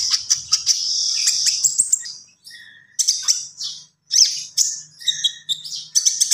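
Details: Common iora in persistent gacor song: dense high chattering and twittering phrases, with fast trills and short whistled slurs, a brief pause near the middle, then more quick clipped notes.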